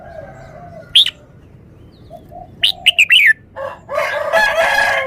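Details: Caged red-whiskered bulbul showing off its song style, clear and bright with every note stressed: a few sharp, fluty whistled notes, a quick cluster of rising chirps, then harsh, noisy chattering bursts near the end.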